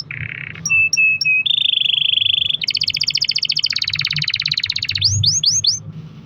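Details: Canary long-roll song meant to prompt other canaries: a buzzy roll, three short repeated notes, a steady mid-pitched roll, a long fast high trill, then four rising-falling swooping whistles.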